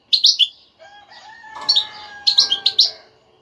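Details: Tinkling goldfinch twitter in the stimulating 'batbata' style: a quick run of three high chirps, a brief pause over steady tonal humming, then another rapid cluster of chirps.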